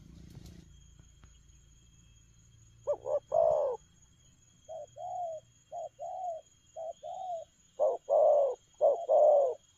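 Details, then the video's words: Spotted dove cooing in a quick, rapid style: after a few quiet seconds, low hollow coo notes come in uneven bursts, some doubled, growing louder toward the end over a faint low hum. "Nết chơi nhanh lẹ, gù tốc độ"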